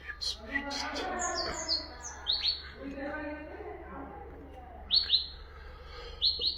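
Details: Common nightingale phrases played to teach goldfinches and canaries: brief bright whistled notes in short clusters, spaced by gaps, over a constant low hum and a soft murmuring background.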